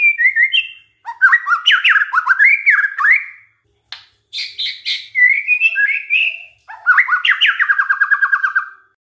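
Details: Lure recording of a white-rumped shama to provoke other shamas: continuous varied song of rising slurred notes, chirps and whistles, closing with a fast trill of repeated notes.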